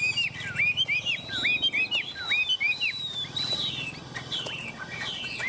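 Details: Tame Chinese hwamei perched on a person's hand, singing vigorously: bright whistled notes that swoop upward, repeated in quick bursts roughly once a second, with faint background hiss.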